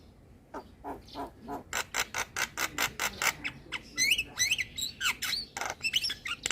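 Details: Javan myna song, played to lure and train moulting mynas: a run of rapid dry clicking notes, about two per second, giving way to bright rising and falling whistled slurs and harsh chatter.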